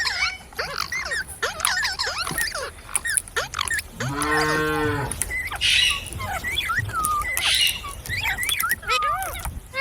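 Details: Talking pet parrot copying human speech: busy chattering whistles and rasps, a long lowing, moo-like voiced sound midway, then looping whistled syllables to the end.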